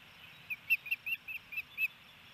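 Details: Nest-camera recording of an osprey in Hellgate Canyon, Missoula, Montana, 28 May 2018, as the male feeds the female a fish: irregular, piercing whistled chirps, about eight notes in two seconds, some doubled, over faint hiss.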